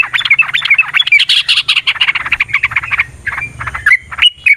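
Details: Yellow-vented bulbul giving a long fighting song meant to provoke rival birds into singing back, a fast, busy stream of chattering, bubbly notes with brief gaps near the end.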